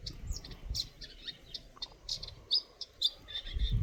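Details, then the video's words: A Eurasian nuthatch gives a scatter of short, high chirps and thin notes at an irregular pace, over a low rumble of background noise. "Nuthatch chirping sounds"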